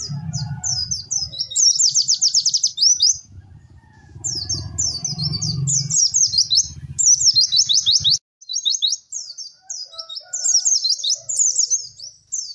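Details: Rapid high white-eye song for training other birds, with tumbling chirps, buzzy trilled bursts and repeated phrases, over a low rumbling background noise in the first part.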